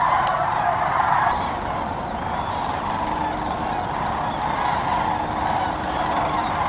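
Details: Large flock of sandhill cranes gathering on Muscatatuck National Wildlife Refuge in Indiana; countless overlapping rattling, trumpeting calls merge into a steady roar, slightly louder in the first second, with a brief sharp click near the start.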